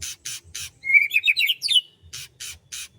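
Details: Birds singing on a morning in rice fields: a bright twittering phrase of rapid chirps and rising notes in the middle, framed by repeated broadband rasping bursts, with a low rumble underneath.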